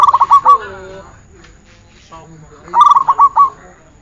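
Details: Zebra dove song for training: a fast series of short coo pulses, then softer low falling notes, and a second stuttering phrase of ringing coos about two seconds later.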